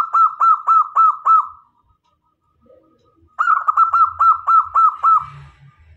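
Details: Local zebra dove, a lively singer kept as a decoy to draw male and female doves close, gives two rapid runs of about six clipped, hollow cooing notes separated by a short pause, with a faint thin tone between phrases.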